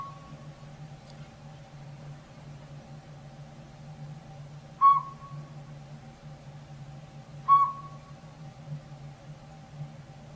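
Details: Tiny Northern Pygmy-Owl calling from backyard woods where it has moved into an old sapsucker nest hole in a rotted tree; clear single whistled hoots, one faint then two louder about 2.7 seconds apart, with a constant low hum beneath.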